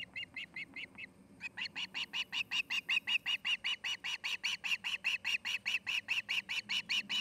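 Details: Osprey pair nesting in Charlo, Montana: a long, even series of high piping chirps, about four per second, briefly interrupted after the first second and then continuing steadily.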